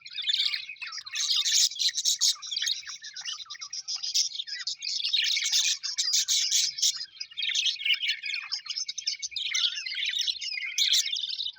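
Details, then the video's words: Colourful Australian budgerigars kept as pets, chirping happily: lively overlapping warbles, chatter and high squeaks forming a steady flock babble, with bursts of sharp clicks throughout. "Happy budgies chirping sound"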